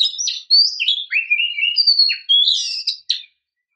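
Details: Female oriental magpie-robin provoking a male to sing. A clear run of high whistled notes with rising and falling slurs and short chirps, lasting about three seconds against a silent background.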